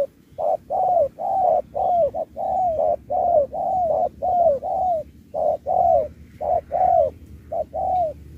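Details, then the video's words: Contest spotted dove delivering a Thúc-style song with Bo phrases. A fast, steady run of about nine short-then-long coo pairs, the long notes sliding downward, almost without gaps. "Bài lối Thúc kèm Bo tráo trở nước như chim ngoại"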